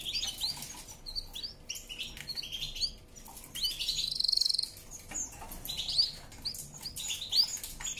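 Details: Canary singing a powerful song: bursts of high chirps and short twittering phrases, with a brief buzzy trill in the middle and uneven pauses between phrases.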